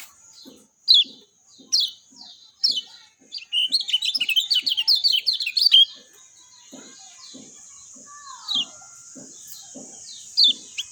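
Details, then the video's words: Lemon-bellied white-eye from Lombok: spaced high descending chirps open into a rapid, jumbled burst of twittering warbles lasting about two seconds, then scattered chirps resume over steady hiss and low water-like drips. "JOS GESIT SUARA JERNIH ALAMI BIKIN KECIAL KUNING CEPAT RESPON"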